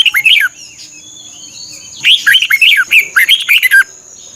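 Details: Caged-bird training recording of a Thai red-whiskered bulbul: a brief phrase, a pause, then a longer run of about ten rapid, bubbling whistled notes, over a faint continuous high tone.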